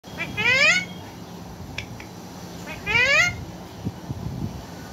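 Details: Parrot giving two sweet, rising whistled calls with strongly upswept harmonics, about two seconds apart, indoors with faint room noise and a few soft clicks.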